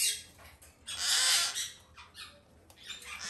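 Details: Young male white-bellied parrot of the green-thighed form, captive-bred in Japan, begging while being hand-fed indoors: harsh, noisy squawking bursts, loudest in a long rasping burst near the middle, with softer scratchy calls before and after.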